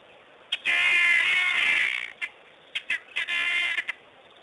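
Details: Helmeted guineafowl giving long harsh, rasping bursts, the first over a second long, then scattered sharp clicks and a second grating burst.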